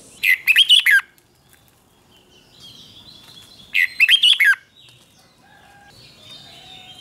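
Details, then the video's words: A caged red-whiskered bulbul sings two short, dense bursts of loud chirping whistles roughly four seconds apart, with quiet faint background sounds in between; recorded as a double-singing tutor song for young birds. "นกกรงหัวจุกเบิ้ล 1000000% สอนลูกนก ก็อปติดง่าย"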